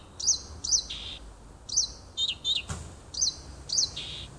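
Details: June woodland nightingale, 30 June 2015, singing near a home: sharp chirps each followed by a drawn-out lower buzz, with a single brief knock midway.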